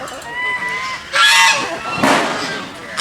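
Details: Geese swimming in a pond honk in loud, harsh bursts, three blaring calls about a second apart, over fainter thin whistled notes and background noise.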